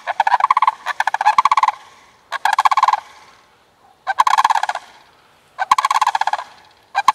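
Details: A male and female sandhill crane frolicking and jumping around playfully ahead of mating season, giving loud rolling, rattled calls in pulsed bursts, five bursts in about seven seconds with short quiet gaps between them.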